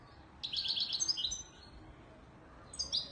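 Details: Moroccan European goldfinch in Widani Marrakchi song style delivering a rapid tinkling phrase of high chirps, a pause, then the start of a fresh bright burst.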